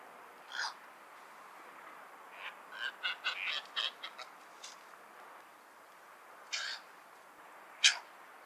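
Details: Cattle egret (Bagula) producing a rough croak, then a rapid stuttering run of harsh, clipped notes, followed by two more isolated raspy calls, the final one loud and sharp, over faint background hiss.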